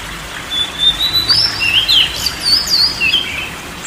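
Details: Oriental magpie-robin song played as relaxation therapy for a stressed bird or one reluctant to sing: clear whistled phrases sliding up and down, varied notes in quick succession, over a steady background hiss.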